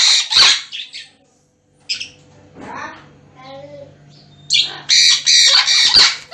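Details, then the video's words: Sun conure parrots screeching loudly, with harsh raspy calls at the start, a quieter stretch with soft murmuring sounds, then a run of four strident squawks close together at the end. "Parrot Birds Loudly Talking Sounds | Sun Conure Parrot Birds Video"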